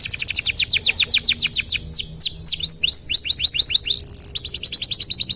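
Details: Canary song intended as a master recording for teaching other cage birds: rapid repeated descending whistles, a few loud swooping notes in the middle, then fast trills resuming, several notes per second.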